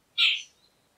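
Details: Jungle babbler (Argya striata), a noisy, gregarious resident of the Indian subcontinent, gives a single harsh, rasping, high-pitched note about a quarter-second long, fading into a quiet background.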